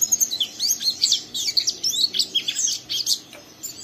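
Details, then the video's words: Rough ngeriwik chatter from a young caged oriental white-eye urging another to sing; rapid high twittering and sharp chirps pour out steadily, fading into softer notes at the end. "Burung Pleci Muda Gacor merangsang Pleci Bahan ikut Ngeriwik Sampai Buka paruh"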